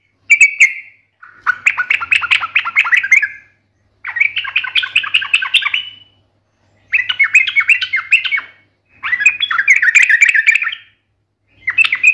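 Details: Trucukan, the yellow-vented bulbul, in lively fighting-style song to provoke a reply: five bursts of fast, bubbling, chattering notes, each about one to two seconds long, separated by short silences.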